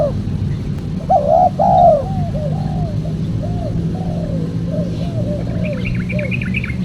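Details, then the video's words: Spotted dove cooing for trapping lures: one phrase of two loud coos followed by a long series of soft, falling trailing notes; a different bird chirps high and rapidly near the end over constant low rumble. "PEMANGGIL BURUNG TEKUKUR SUPER JERNIH"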